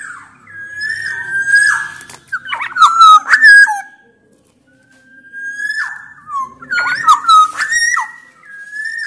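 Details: Black-naped oriole from Sumbawa singing loudly, used to set other orioles singing: two similar phrases about four seconds apart, each a drawn-out whistle leading into loud, fluty, rolling notes.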